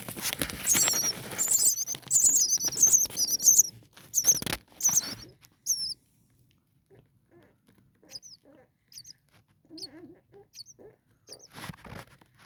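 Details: Six four-day-old common starling chicks huddling in a nest on a cool night give a dense, loud run of shrill high squeaks for about five seconds, then fall to sparse faint chirps and rustles.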